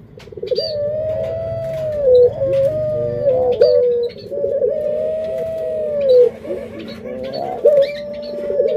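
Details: Captive collared dove giving drawn-out, smooth, mid-pitched coos that hold level and then dip at the end, with faint higher chirps and a low indoor hum underneath.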